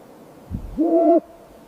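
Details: Snowy owl chirping: a single tonal, slightly rising call lasting about half a second, with a clear overtone, preceded by a soft low thump.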